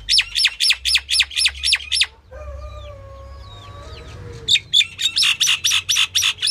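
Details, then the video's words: Female common myna, or Indian myna, calling: a run of about seven harsh, buzzy notes at roughly four per second, a short pause with faint whistles from other birds, then another burst of about eight similar rasping notes. "The common myna (Female) | Indian myna calling"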